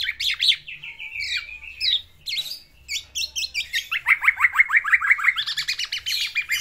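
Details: Caged black-naped oriole singing energetically to court a female, using its learned fill-in phrases: descending buzzy notes, a short pause, then a fast, regular run of sharp chipping notes, several per second, recorded indoors.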